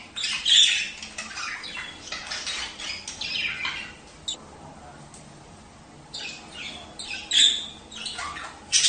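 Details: Budgerigar chatter used to encourage mating: loud buzzy warbled bursts at the start, a quieter lull in the middle, then sharp high chirps returning near the end.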